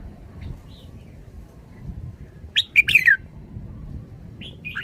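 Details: Red-whiskered bulbul giving one brief, loud song phrase of quick slurred whistles that drop in pitch, after a long quiet stretch, with another short phrase starting at the end over a low background hum.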